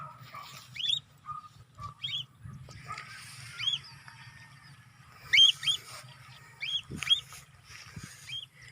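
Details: Cockatiel on its first free flight, giving short, shrill, upward-sweeping chirps, singly and in quick pairs at irregular intervals, over a steady low hum and faint background noise.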